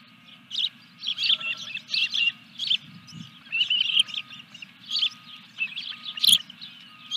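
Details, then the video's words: Osprey at a nest on a ranch during a fish delivery, evening of 14 July 2021: a rapid series of high, sharp chirping whistles in bursts about every half second to second, with a low steady hum and a faint tonal line beneath. "Osprey Video_2021-07-14_212333-Fish #3"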